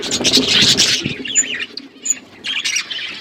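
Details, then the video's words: Budgies chirping together in an outdoor aviary: squawky bursts, then short wavering warbles and sharp high chips separated by brief pauses. "Budgies flocks in outdoor aviary budgies colour budgies chirping sounds"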